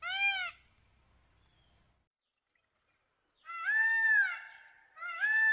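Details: Peacock calling, a call folk belief links to coming thunderstorms or rain: a short, sharp, nasal wailing cry, then a silent pause, then a longer drawn-out harsh cry rising and falling, with a brief repeat at the end.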